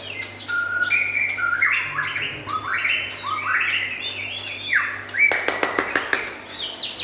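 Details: White-rumped shama, local and forest-imported birds, singing a lively song of loud whistled phrases: rising and falling slurred notes, then a burst of sharp rapid clicks near the end, with a low steady hum underneath.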